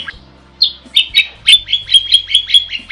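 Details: Gacor starling, recorded as a master for songbird training, delivering a rapid, steady series of sharp ringing chip notes, roughly four per second, after a brief opening whistle.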